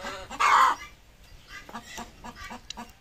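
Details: Desi hen laying an egg, kept at home: one loud, harsh cackle near the start, then a series of softer, short clucks spaced roughly half a second apart.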